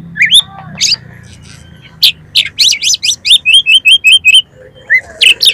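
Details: Oriental magpie-robin (kacer) lure song meant to get birds singing and spreading their tails: scattered whistles, then about nine identical short whistled notes repeated quickly in a steady row, ending with two more.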